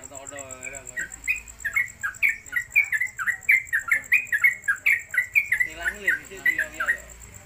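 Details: Caged yellow-vented bulbul (trucuk) singing fast ropelan-style at home. A dense run of slurred, bubbly notes is framed by a harmonic wavering sound at the start and near the end, over a steady high whine.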